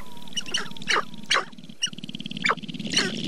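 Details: Sharp-tailed grouse in April in the Namekagon Barrens of northern Wisconsin: loud, well-spaced sharp yelping clucks about every half second over a stuttering low rattle, with a faint thin whistle in the background.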